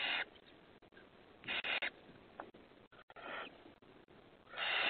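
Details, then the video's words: Five hungry owlets begging on May 28, 2020: harsh, breathy rasping hisses in bursts of a few tenths of a second, four bursts spaced irregularly with near-quiet gaps between. "5 hungry Owlets"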